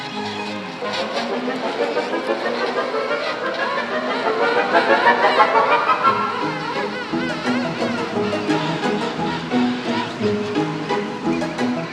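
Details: Orchestral music with swelling brass fills the whole passage, with no animal voice heard.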